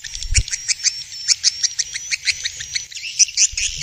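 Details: Swiftlet calls from Vietnam for attracting birds to bird houses: rhythmic short chirps a few times a second over a faint thin whistle, with a soft low thud early on.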